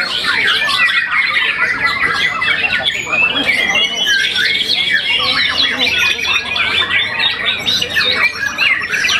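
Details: White-rumped shama, a young contest winner after one moult, pouring out rapid varied whistled notes and harsh chattering phrases without a break, with a human voice talking alongside.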